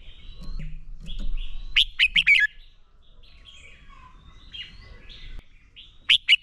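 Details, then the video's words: Red-whiskered bulbul fighting song for training, with a quick run of four loud slurred whistles, a long faint warbling section, and a final pair of sharp notes; low rumble early on. "Chào Mào Hót Đấu Kích Bổi Lên Lửa. Luyện Chào Mào Sổ Giọng Hót Căng Lửa."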